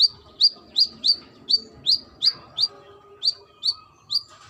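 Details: Female brown-throated sunbird calling to a male, giving eleven loud, bright chip notes at an even, brisk pace. Each note rises sharply, then drops into a brief slur. A faint continuous hum runs behind.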